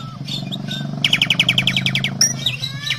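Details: Asian pied starling giving loud, lively lure song: a fast run of about a dozen bright, repeated chirps, then sharp whistled notes, over a steady low traffic-like rumble.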